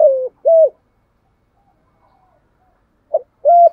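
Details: Spotted dove kept as a decoy, cooing with a thúc gù pattern: a long falling coo and a short round coo, a pause, then a quick note and another coo.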